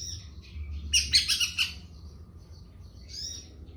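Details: Young long-tailed shrike: brief high chirps, then a tight burst of four or five rasping notes, followed by a thin buzzy call after a short gap.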